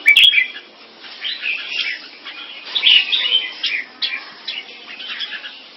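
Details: Competing display by caged red-whiskered bulbuls of mutant crossbred champion lines kept in Singapore. A loud click opens, then lively chattering, warbling bursts of high notes with brief gaps between phrases.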